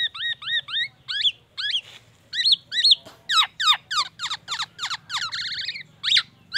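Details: Black-naped oriole (Oriolus chinensis) mimicry song: fast, slurred whistled phrases copied from a white-rumped shama (murai batu), then a wavering ambulance-siren-like warble, over a faint low hum.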